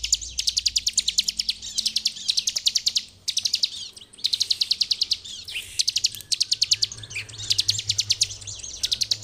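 A bar-winged prinia sings fast, high, ticking trills in bursts of about a second, repeated with brief pauses; little else is heard.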